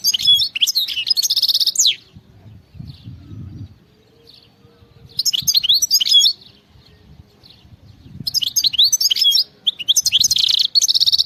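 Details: Wild European goldfinch repeating field-style song phrases: three bursts of rapid twittering, buzzy trills and sweeping whistles, each lasting one to two seconds, with quiet gaps and low rumbling between.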